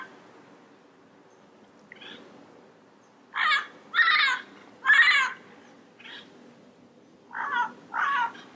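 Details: Wild Yellow-headed parrots give harsh, raspy squawks, each about half a second, mostly in pairs with fainter calls between, against a quiet background.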